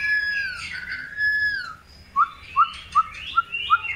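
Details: Long-tailed white-rumped shama at breeding pairing: clear slurred whistles that fall away, then five short sharp whistled notes repeated roughly every half second with faint higher notes between.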